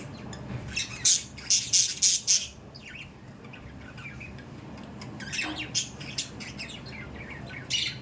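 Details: Pet budgerigars calling: a quick run of bright, harsh chirps around the first two seconds, then scattered squawky notes and short twittering bursts over low room hum.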